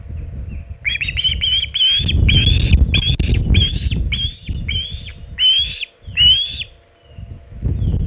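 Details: Osprey on the Hog Island nest holding a large shad, late afternoon of 27 August 2019: about ten loud, ringing whistled chirps repeated rapidly, over heavy low buffeting noise, likely wind or nest movement.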